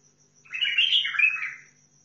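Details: A bulbul from Basra, Iraq, gives one short warbled phrase of rich, slurred notes that rises, wavers and falls over about a second, against near silence.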